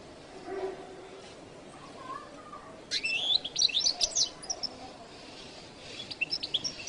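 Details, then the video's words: Jilguero latino goldfinch giving softer, more distant bursts of high twittering and short whistled notes after a quiet start, over steady low background hiss. "canto de jilguero latino"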